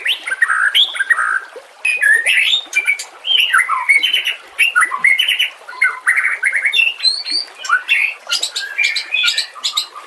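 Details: White-rumped shama song used as a master recording for training other songbirds such as cendet, trocok and cucak ijo: a rich, varied stream of whistled, buzzy and chattering phrases, rising and falling notes in quick succession with short pauses.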